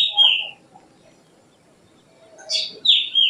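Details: Black drongo giving a clear, down-slurred ringing note, then silence, then a harsh buzzy burst and another falling note.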